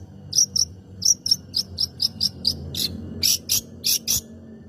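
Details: Long-tailed shrike song for provoking other birds into song: shrill, slightly squeaky high notes in a steady run, ending with louder broad, raspy bursts.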